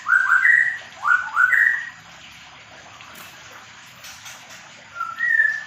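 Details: Murai batu (White-rumped shama) of the Medan type, kept in a small aviary while being paired. It gives a few rich whistled notes that rise then slur down, then falls quiet before one more whistled phrase.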